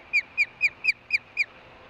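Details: Six sharp, buzzy, downslurred chirps about a quarter second apart from a female osprey at the Hellgate nest, given after her mate brings a fish in August 2013.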